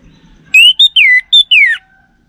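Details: Single phrase of orange-headed thrush song, a lure intended to draw a reply from a male, North Bali: five loud, clear whistles, level then sliding downward, the last falling steeply, in a quiet background.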